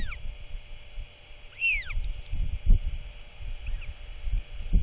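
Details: Chatty royal albatross chick with its father at feeding time at the end of the day, 27 March 2024. One loud arched, down-curving whistle, a faint later note, and thumping wind noise.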